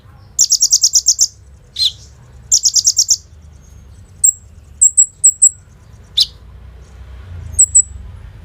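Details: Two bursts of very high rattling trill from a kolibri ninja sunbird, separated by a sharp chip, followed by short thin whistled notes; phone recording meant as a lure for untrained birds, song with 'bren rambatan AK-47' fill.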